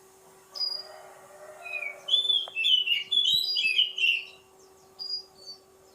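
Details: Oriental magpie-robin singing: a rich, varied run of clear whistled and warbled phrases, some sliding and some trilled, after a few softer opening notes, with a steady low hum underneath.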